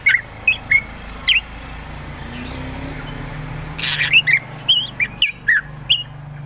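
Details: Black drongo singing actively: short, sharp whistled notes that rise and fall, given singly and in small clusters about every half second, over a steady low hum.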